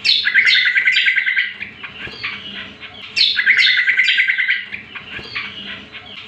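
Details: Greater green leafbird (cucak kombo) song used as a lure and master recording for training other birds: a rapid bubbling trill near mid-high pitch, followed by scattered sharp notes, the phrase repeated twice with faint background hum.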